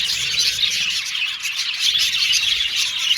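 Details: Brief burst of budgerigar colony song from an aviary: thick, high-pitched chattering and tweeting from many birds at once, with no gaps.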